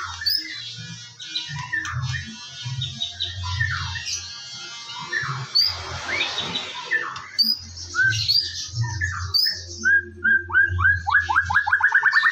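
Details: White-rumped shama song at morning time, used as a lure for singing: scattered varied chirps and whistles, a noisy burst midway, then a quickening run of short downslurred notes at the end, over a low hum.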